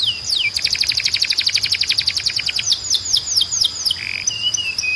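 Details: Canary training song: a falling swoop opens a long fast trill of sharp repeated notes, followed by slower downward slurs, a brief buzzy note and a thin level whistle.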